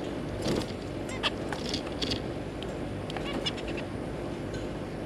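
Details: Kept zebra finches, a pair with three juveniles, 3 July 2022: faint, brief nasal call notes and clicks come in a loose cluster mid-recording, partly buried under steady low-frequency background noise.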